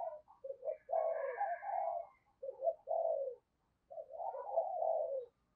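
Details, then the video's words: Spotted dove decoy used in the morning to call wild doves: quieter, slightly muffled repeated coo phrases, stuttered then drawn out, over a faint low rumble of background noise. "cu gáy - Chim Cu Mồi Thúc Và Gáy Gọi Bổi, Dùng Kích Bổi Vào Buổi Sáng Rất Hiệu Quả"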